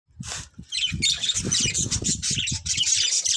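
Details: Budgerigars chirping: dense, scratchy high chatter with rapid squawky notes running almost continuously after a brief opening call, plus low thumping and rustling underneath.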